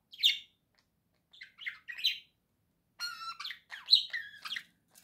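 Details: Captive budgerigar chattering in bursts: a sharp chirp, a pause, then scratchy warbles and a dense run of buzzy, whistled chatter with clear tonal notes near the end.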